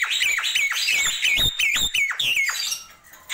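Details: Nias hill myna in busy morning song, repeating a bright whistle that swoops down then up, about three per second, with raspy overtones, fading out at the end.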